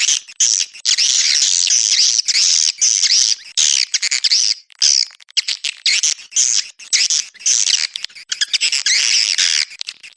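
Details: Swiftlet call used to attract swiftlets: loud continuous harsh chittering and rasping twitters, high and buzzy, in long choppy blocks broken by abrupt short gaps, with no other sounds.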